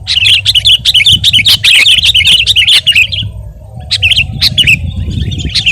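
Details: Sooty-headed bulbul in an energetic song used to train other birds: three seconds of rapid warbled chatter, a brief silence, then a few separate twisting notes over a steady low hum.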